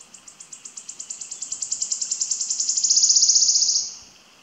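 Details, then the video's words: A wood warbler sings in Wyre Forest, Worcestershire, on 15 June 2022: high, thin ticking notes that speed up steadily, then run into a fast shivering trill lasting under a second. "Wood Warbler"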